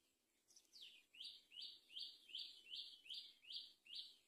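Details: Great myna on a palm tree while feeding a baby, giving a run of about eight harsh, high, rasping notes, each slurring downward, repeated steadily about twice a second over a faint background hiss.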